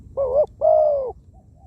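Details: Single cooing phrase of a spotted dove used as a ground decoy: a brief wobbling note, then a sustained coo that drops at the end, followed by a faint soft note.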